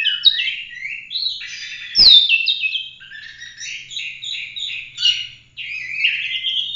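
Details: Oriental magpie-robin singing gacor full-roll 'tembak' for use as a master song for other birds. A loud sharp downslurred note stands out among stacked whistles, buzzy trills and repeated slurred phrases that run almost without a break.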